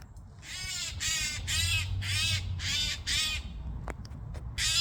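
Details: Eurasian jay calling noisily: a rapid series of about eight harsh, rasping screeches, each short and broad, repeated roughly twice a second with brief pauses, over a steady low rumble.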